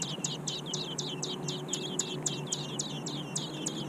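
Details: American robin nestlings in the nest. A rapid, steady run of high, thin chirps, about four per second, each note dropping sharply in pitch. A low hum sits underneath.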